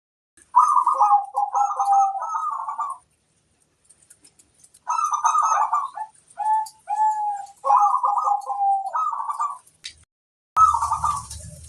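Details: Local zebra dove singing vigorously, a master song meant to prompt other doves to answer: bubbly, rolling coo phrases with a lower drawn-out note, in three bursts separated by pauses, and faint ticking above.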